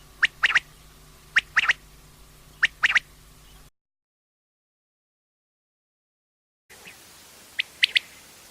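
A quail gives sharp, clipped calls in quick groups of two or three notes, repeated about every second, with a silent break midway.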